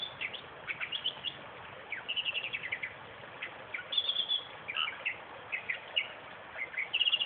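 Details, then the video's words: Western reed warbler in a suburban park 20 km south of Perth singing grating, churring phrases mixed with buzzy trills and a few clear whistled notes, in rhythmic clusters with brief gaps. "Rare Western Reed Warbler..."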